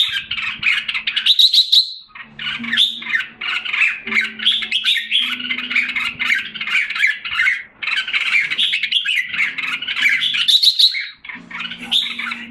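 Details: In Singapore in July 2017, a caged red-whiskered bulbul regaining form after a decline. It sings long bursts of busy warbling and scratchy notes, broken by brief silences, with occasional high thin trills and low background hum.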